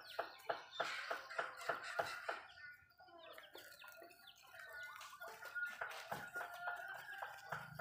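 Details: Backyard Malay chickens eating: a quick regular series of crisp pecking taps for two seconds, then a pause and softer clucking and chirping from several birds, taps resuming near the end.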